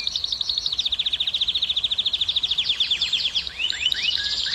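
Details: Canary song played to stimulate hens to breed: a long even trill of fast, pulsing high notes, about ten per second, breaking into a few looping downslurred whistles at the end.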